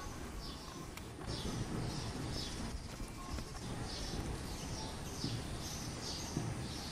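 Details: Male house sparrow perched in a mango tree, giving a monotonous run of short high chirps repeated about every half second over steady low rumbling background noise.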